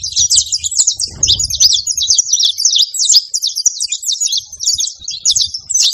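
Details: Saffron finches on a farm, a crowd of birds singing at once: an unbroken stream of bright, high twittering and buzzy chirps, with a short low thump near the start.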